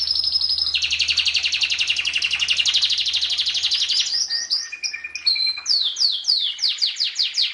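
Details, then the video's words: Canary masteran song opening with a long, dense buzzy trill over a steady low hum. Short whistled tones follow, then a run of sharp descending sweeps. "Masteran Suara Kenari"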